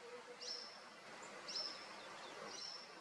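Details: White-spotted woodpecker at its nest in Serra da Cantareira, São Paulo city, Brazil, August 2023: three short, sharp high-pitched notes, each with a brief downward tail, spaced about one second apart over a soft hiss of background noise.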